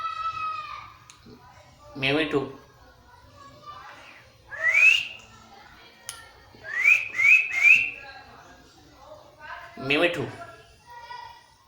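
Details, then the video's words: Talking parrot copying a cat's voice: scattered rough meow-like bursts mixed with quick upward-slurred whistles, several in rapid succession, with quiet gaps between. "Parrot talking in cat voice"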